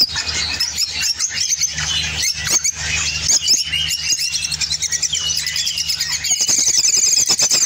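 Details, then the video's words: Spain opaline orange lovebird in song, giving squeaky chatter and thin whistles that turn to fast rattling clicks near the end; a low hum fades out after six seconds. "Spain Opline Orange Love bird singing"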